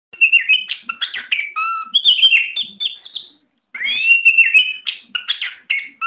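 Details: Tame oriental magpie-robin singing a varied, rich phrase of whistled notes, slurs and short warbles, pausing briefly mid-way before another run of mixed rising and falling whistles.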